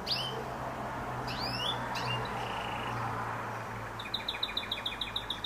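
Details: Canary singing, a male singing to attract a female and show territory ownership: a few separate high rising, sweeping chirps, then from about four seconds a rapid, even trill of short high notes running to the end, over a steady low hum.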